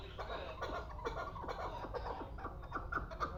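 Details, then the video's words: Two-year-old hunting chukar partridge from the Pamir giving a rapid series of harsh, clucking chuk notes, about two per second, with a low rumbling background. "Кабки Помир"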